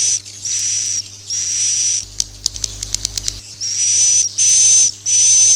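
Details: Swiftlet farming lure called suara inap "Masal": high breathy whistled bursts, then a run of sharp clicks mid-clip before the hissing whistles resume in short regular pulses.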